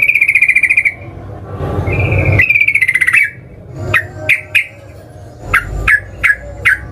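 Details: Yellow-vented bulbul lure singing meant to trigger other bulbuls: opens with buzzy rattling trills, then a series of sharp, separate downslurred chirps spaced irregularly, over a low background hum.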